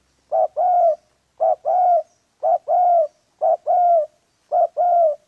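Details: Spotted dove during trapping of wild doves: five evenly spaced two-part coos, a brief lead note then a sustained slightly falling coo, roughly once a second, with no other birds heard.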